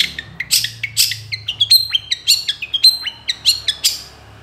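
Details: Long-tailed shrike song on a training recording for songbirds: rapid sharp chirps mixed with short clear whistles that rise and fall, delivered several per second in a chattering varied stream with little background noise.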